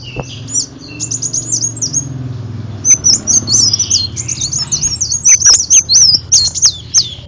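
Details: Olive-backed sunbird song used as a lure sound to attract birds: high, thin twittering phrases of rapid rising and falling notes, with sharp clicking chips scattered between and a low background hum.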